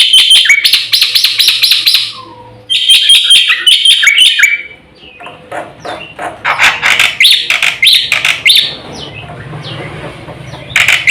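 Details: Black-winged myna singing for bird training: bursts of fast harsh chattering separated by short pauses, mixing buzzy rattles, squeaks and whistled notes, with faint low background hum.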